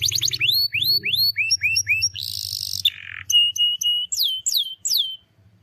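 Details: Singing canary used as a lure for a silent bird: rising whistled notes in repeated pairs, a buzzy trill, a harsher lower buzz, then sharp upslurred whistles; low hum in the background.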